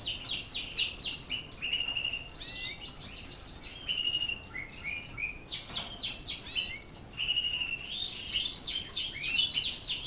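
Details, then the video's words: Border Fancy canary from Holland singing a continuous run of bright chirps, trills and warbled phrases, with repeated rising and falling notes and short buzzy rolls throughout, over faint background hiss. "Kenari Border Fancy Dari Holland"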